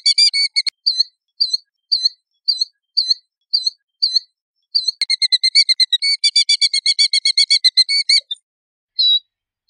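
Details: Killdeer giving a series of short, high, clipped notes repeated about every half second, followed by a long rapid trill of fast, evenly spaced notes and a final single cry; clean background.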